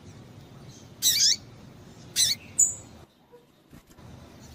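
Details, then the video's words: Calling female double-collared seedeater, meant to excite males: two strong, harsh, high chirps with falling tails about a second apart, then a thin whistled note, followed by near silence and a few faint clicks. "Piado de Fêmea de Papa capim é Fêmea de Papa capim Chamando Para Esquentar Papacapim"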